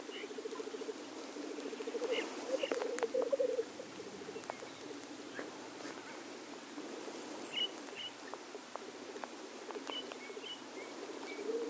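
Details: Black grouse males at a lek: a loud burst of pulsed low bubbling early on, then softer, more distant rolling coos continuing underneath, with scattered high chirps and clicks.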